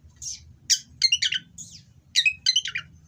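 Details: Oriental magpie-robin kept in breeding condition, delivering harsh song to rile rival birds; short bursts of high chattering, twisting notes in two groups with a gap between, over a faint low hum.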